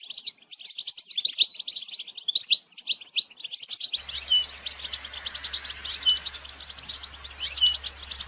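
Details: Batbata song of the goldfinch, a lure for trapping: dense fast tinkling twitter for four seconds, then a noisier section with high chattering and a few clear rising notes over a low hum.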